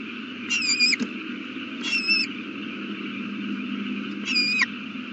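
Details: Owl at the nest with a newly hatched chick, 8:32 pm, April 18, 2019: three short buzzy squeals with a wavering whistled edge, spaced irregularly over a constant electronic hum.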